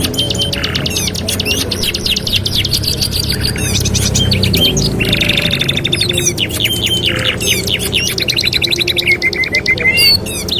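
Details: Canary singing as training master song: rapid rattling rolls alternating with harsh buzzy bursts and sliding notes, a nonstop varied chatter throughout, low rumbling background underneath.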